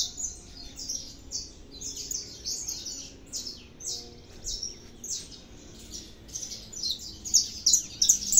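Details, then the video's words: Saffron finch (canário da terra) in song: dense, rapid high twitters and chirps, softer and busy through the middle, rising to loud ringing notes at the close. "canário da terra 315 cantando muito"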